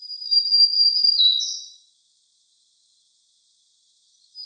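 A Black-throated Green Warbler's song: high, thin buzzy notes held level, dipping lower, then ending on a brighter higher buzz, all within two seconds, then quiet.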